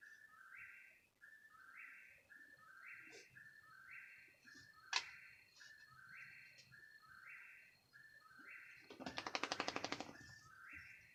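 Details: Night bird at 3 in the morning giving a repeated rising two-note whistle about once per second, interrupted by a sharp click and a brief rapid rattling burst near the end.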